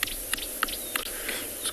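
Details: A Green-backed Camaroptera on a South African game reserve during a morning safari drive on 21 December 2020 gives dry, snapping clicks about every third of a second, over a low engine hum and a faint whistle from another bird.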